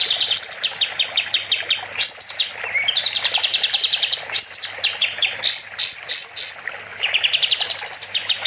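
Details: Kapas tembak bulbul singing persistently, used as master audio for training songbirds; brisk runs of high notes alternate with short trills and bursts of sharp downslurred chips.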